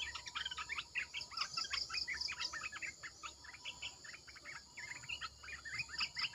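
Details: Red-eyed bulbul decoy calling of many birds at once, a continuous lively mix of short rising and falling notes. Brief high pulsed series and steady insect hiss sound throughout.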